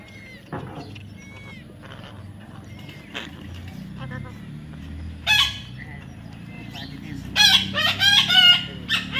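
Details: Baby parrot calling: soft whistled notes at first, then a harsh squawk, followed by a burst of four or five rapid, grating screeches toward the end.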